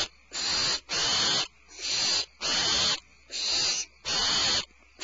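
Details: Barn owls at their nest at Starr Ranch, February 22, 2012, as the mother returns with a supplemental rat: six harsh, breathy hissing screeches, each about half a second, with short quiet gaps between them.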